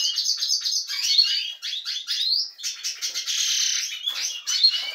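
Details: Captive European goldfinch from a canary-breeding room, becoming lively, delivers a continuous tinkling song of rapid twitters, sharp chips and short rising whistles with brief pauses.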